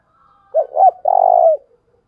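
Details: Lure call of a decoy spotted dove in the thúc bổi style for drawing wild doves: a faint lead-in note, two short curved hoots, then a long, even, rolling coo trailing off softly.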